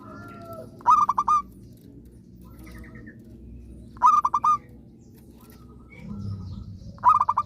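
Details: Zebra dove, described as singing often and eagerly, its song used to get other zebra doves that have stopped singing to sing again: three phrases about every three seconds, each a run of short staccato coos ending in a drawn-out note.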